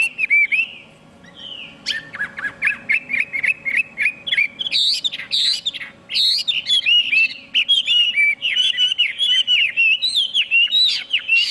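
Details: Chinese hwamei in loud, varied song: rapid series of clear whistled notes around high pitch, slurred up and down, with sharp buzzy bursts mixed in, nearly continuous for eleven seconds; faint steady hum underneath.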